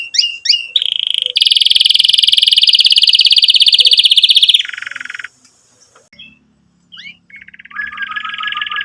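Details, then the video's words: Canary song for training young birds and reviving quiet singers. A few sharp notes open into a long rapid trill and a lower roll. After a near-silent pause, isolated chips and softer trills close the passage. "Kenari Gacor Cuit Cuit EMOSI"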